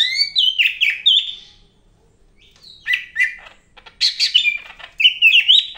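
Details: Active Medan greater green leafbird song: a rich jumble of warbled, slurred whistles and rapid chattering notes, one pause near the middle, then loud fluty phrases again.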